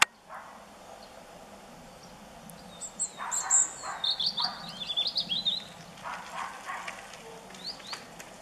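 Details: Nightingale singing in full flow: a burst of high, rapid whistled and trilled notes in the middle stretch, then scattered sharp chirps, set against a quiet outdoor background.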